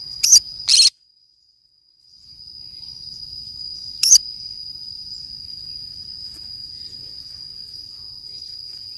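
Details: Green-cheeked conure parrot at play alone in the forest: a quick pair of harsh squawks, then one more several seconds later, over a steady piercing high drone.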